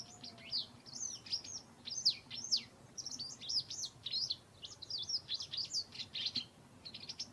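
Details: Autumn garden with white wagtails disputing territory: rapid bursts of high, sharp twittering chirps, clustered in quick runs of several notes each, over a soft steady background hiss.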